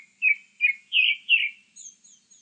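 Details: A grey-backed thrush sings four rich fluty whistles, the later ones higher and longer, then finishes with a few thin, very high twittering notes.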